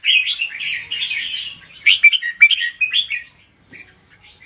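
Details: Red-whiskered bulbul teacher bird with slow, clearly spaced song for young birds: a run of rich, bubbling warbled phrases, ending in quieter scattered notes.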